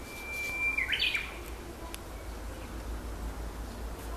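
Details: Japanese bush warbler singing in an ecological garden: one long steady whistled note, then a quick, higher, tumbling flourish, with low background hum.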